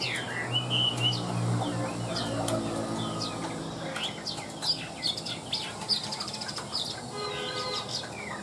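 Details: Caged Chinese hwamei, described as handsome, a fine singer, 85% tame and voicing very evenly; quick whistled sweeps and chirps rising and falling in varied phrases, with a steady low hum and faint clicks underneath.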